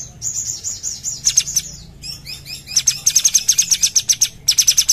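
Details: Sumatran bulbul in full, lively song: wavering high whistled notes lead into fast repeated piercing trills, around two dozen pulses in quick succession, broken by short buzzy slurred phrases.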